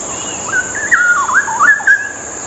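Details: Straw-headed bulbul masteran song for tutoring other birds: a loud, mellow, gurgling burst of rolling whistled notes that swoop up and down for about a second and a half.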